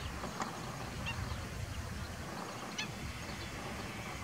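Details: Ruddy shelduck (Tadorna ferruginea) giving about three short, nasal, goose-like honks spaced unevenly, over a steady low rumble of wind or distant traffic.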